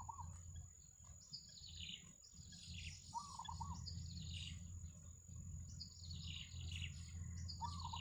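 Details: At a wild yellow bittern nest with chicks, short mid-pitched wavering double notes recur every few seconds, alternating with bursts of high, downward-sliding chirps, over a constant low hum and a thin steady whine.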